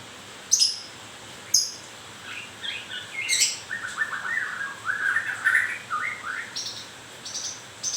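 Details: White-rumped shama in moult singing: two sharp high clicks, then a varied flowing phrase of clear whistled notes rising and falling, with faint high ticks near the end.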